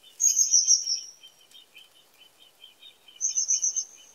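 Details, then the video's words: Common kingfisher uttering rapid series of shrill, high whistled notes at the start and again near the end, while another bird keeps up a lower, steady ticking chatter throughout. "The song of the Kingfisher"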